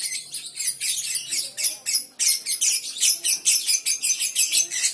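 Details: Young lovebird (balibu) giving ngekek chatter: dense, harsh, high-pitched bursts tumbling quickly one after another with short dips between them, steady throughout.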